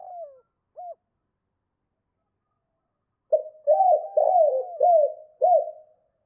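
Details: Spotted dove rousing coos in 2 cốt and thúc lợi cốt styles: a falling note and a short hook, three seconds of silence, then five loud rolling arched coos, nothing else audible.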